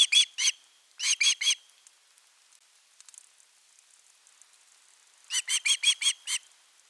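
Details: Osprey chick at nest 3 on a nest camera, 10 August 2021, calling at length for fish before an adult brings a whole fish: clipped, squealing whistled notes in bursts of two, then three, then a run of six after a quiet pause.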